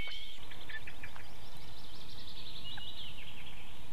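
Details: Osprey pair's nest in Võrumaa, South Estonia, 2022, close to a river and fish farm: a continuous stream of thin, high, whistled chirps, some sliding downward, over a constant deep droning rumble.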